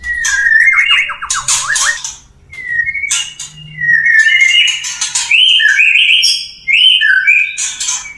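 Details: Male white-rumped shama wooing a female: fast descending whistled trills, then pauses, harsh rasps and a string of clear, rising and falling whistled phrases.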